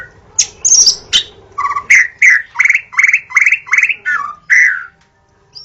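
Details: In forest, a white-rumped shama repeats a rhythmic series of about eight rich whistled notes, each with a bright upper overtone, after a few high sharp calls.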